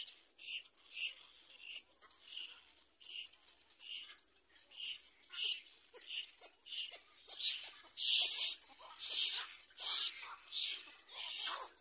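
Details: Little black cormorant preparing to feed young: steady series of short, scratchy high squeaks repeated roughly twice a second, growing louder and harsher toward the end.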